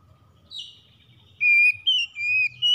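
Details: Morning song of an Oriental magpie-robin: a soft drawn-out whistle, then a sequence of loud, steady whistled notes stepping up and down in pitch, ending abruptly.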